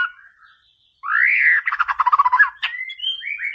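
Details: White-rumped shama masteran song for provoking a rival: a loud upswept whistle, then a fast rattling series of harsh pulsed notes, ending in short whistled phrases.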